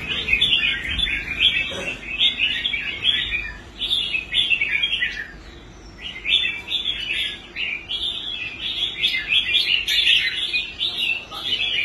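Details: Rehabilitated caged red-whiskered bulbul that had given up competing, now performing well on the contest rack; choppy bursts of bright, rapid twittering phrases with a short lull near the middle before the chatter resumes.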